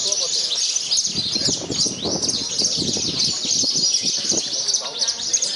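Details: A Javan bush lark (branjangan) at a Purworejo songbird contest, buffeted by strong wind yet winning first place, sings a dense, high, nonstop stream of rapid twittering and chattered notes over people talking and gusty noise.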